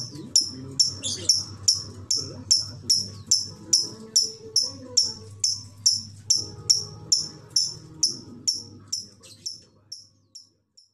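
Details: Lovebird ngekek chatter song: a long run of sharp, high, evenly spaced notes a little over twice a second, gradually thinning and fading toward the end, with low hum beneath.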